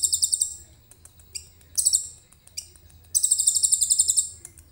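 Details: Actively singing common iora whose song carries imitated cililin material, captured with a phone camera; short high chattering trills and scattered sharp ticks, ending in a longer dense buzzy burst, with a soft low rumble beneath.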